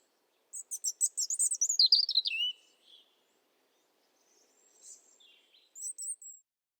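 A European Robin sings a short, high verse of rippling, tumbling notes sliding down into a thin trill, then a pause and a few quiet high phrases.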